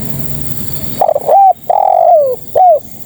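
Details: Spotted dove female calling for males, giving a single phrase: a quick broken note, a brief coo, a drawn-out coo that falls at its end, and a short closing coo.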